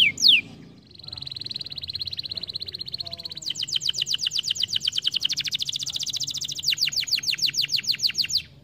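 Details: Canary stimulating song: a sharp opening sweep, a long fast steady trill, then a fuller layered trill that keeps rattling for several seconds.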